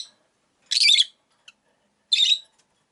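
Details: Caged rosy-faced lovebirds, five kept by a window, give two harsh, buzzy, high chirping bursts about a second apart, with a tiny tick between them and quiet around.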